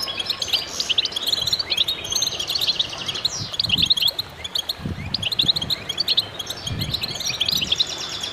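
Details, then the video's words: Goldfinches singing as a group, a steady stream of sharp high twitters and rapid trilled notes, punctuated by several soft low knocks or bumps in the background. "voices a chorus of goldfinches in concert"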